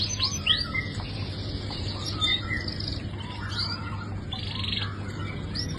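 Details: Quieter canary song of quick chirps, upward sweeps and short buzzy rolls, continuous throughout, against a prominent low hum and background noise.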